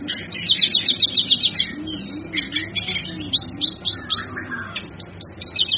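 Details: Cucak kinoi master song for training cage birds: a fast high buzzy trill opening, followed by scattered sharp chirps and a few lower slurred whistles.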